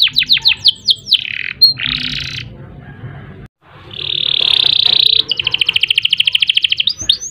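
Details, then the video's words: Canary singing a long master song with rolls: a few fast downslurred whistles, a buzzy burst, a short silent gap, then a sustained harsh churr and a rapid even rattle of identical clicks. "Kenari Gacor Panjang Ngerek Ngerol Nembak Mantap Buat Masteran dan Pancingan | Bird Singing"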